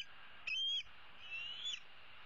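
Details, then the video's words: Bald eagle eaglet, a young female roosting in a tree on 15 April 2016 and calling for her parents to bring food: one short rising whistle followed by a longer, drawn-out thin whistle over faint hiss. "E7 dangles her right leg and calls for her parents to bring her some food."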